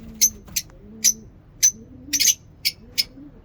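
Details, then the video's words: Lovebirds at a mini zoo calling in the morning: sharp, high chirps roughly every half second, with a faint low human voice murmuring underneath. "Lovebirds singing in mini zoo"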